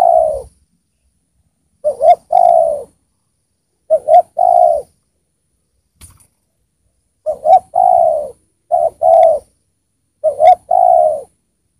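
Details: Decoy spotted dove singing well to attract wild spotted doves, delivering low cooing phrases in quick succession, each a short double note and a drawn-out falling coo, roughly every one and a half to two seconds.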